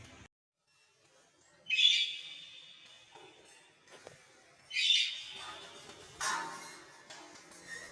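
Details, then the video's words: Lovebird squawking: three loud, harsh, grating shrieks spaced a few seconds apart, each with a rasping edge. A few soft clicks are heard between them in a quiet room. "Love birds"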